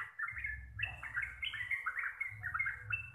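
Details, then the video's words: Sooty-headed bulbul of the local Javanese type singing a fast 'receh' song: continuous stream of quick, slurred whistled notes stepping up and down without pause, over a faint low background rumble. "TRUCUKAN GACOR RECEH DURASI PANJANG"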